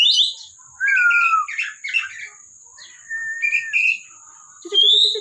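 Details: Oriental magpie-robin from a bird collection in full song. It gives clear whistled phrases: a high opening note, a long descending whistle, chattering notes, a level whistled phrase, then a sharp high note over a low repeated rattle, with faint steady hiss behind.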